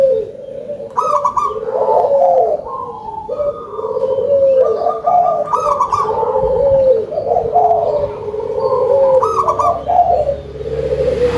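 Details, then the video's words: Big-voiced local zebra dove in full song: high stuttering trills followed by lower warbled cooing, phrases recurring about every four seconds through a long continuous sequence. "GACOR!!! PERKUTUT LOKAL SUARA BESAR"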